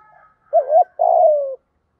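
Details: Spotted dove coo for training a newly caught decoy bird: a single phrase, a quick wavering low note and then a longer, smoothly descending coo.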